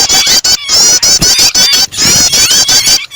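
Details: Prinia calls mixed with a distressed, trapped bird, used as a starter to prompt other birds to sing: loud, shrill, high chattering notes in dense rapid bursts, broken by brief gaps, with faint higher-pitched rising squeaks.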